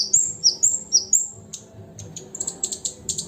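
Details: Lesser shortwing singing: several high, clear whistled slurs falling in pitch, followed by a quick string of tiny ticking chirps.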